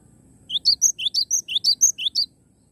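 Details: Lively cinereous tit song from a live bird: about eleven clear notes in under two seconds, alternating upward-sweeping chirps with brief piercing whistles in a steady, bouncy rhythm.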